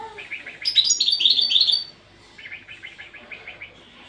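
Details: Training song of a European goldfinch: softer lower twitters lead into a loud burst of high, rapid tinkling notes, followed by a quieter series of repeated chirps.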